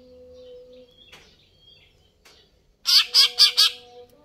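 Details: Greater green leafbird singing vigorously: after quiet with a faint steady hum, a quick burst of four harsh, buzzy, high notes lasting under a second.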